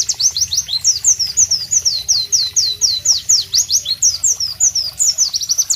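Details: Loud, sharp song of a White-eye (Pleci) in tropical surroundings: rapid, rhythmic run of high, thin downslurred chirps, several per second, delivered without break for the whole stretch.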